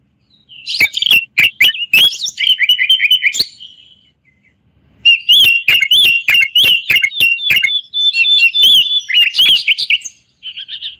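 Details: Moroccan bulbul (common bulbul) in lively song: rapid, repeated high chirps in two long bursts separated by a quiet gap of about a second.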